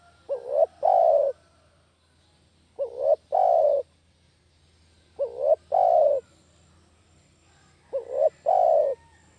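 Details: Spotted dove coos, played to attract doves for catching: four evenly paced phrases about 2.6 seconds apart, each a brief trembling upward note and then a longer soft, steady, falling coo.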